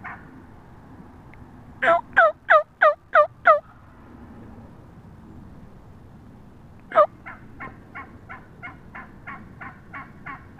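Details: Wild turkey hen up close on March 22, 2017: a loud burst of six sharp, descending yelps, a pause, then one strong yelp followed by a softer, faster string of about ten yelps.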